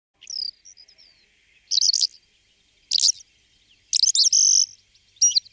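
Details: Calandra lark (Melanocorypha calandra) singing high, scratchy, jangling phrases in short bursts about a second apart, mixing buzzy trills with thin whistled notes.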